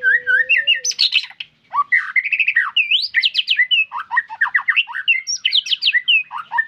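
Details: White-rumped shama in full, lively song: a rapid, varied run of whistled and buzzy notes that sweep up and down, with dense trills and chattering phrases packed closely together and almost no pauses.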